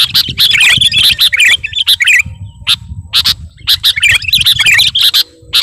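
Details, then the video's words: Sooty-headed bulbul, kutilang garuda type, singing prolifically while calling to a rival: dense bursts of sharp chirps and short twisting whistles, packed in quick runs with brief pauses, over a faint low rumble. "Burung kutilang garuda gacor memanggil lawan"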